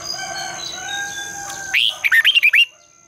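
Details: Red-whiskered bulbul morning singing used to stimulate caged bulbuls: after soft background calls, a crisp run of about seven quick, looping whistled notes, loud and clear.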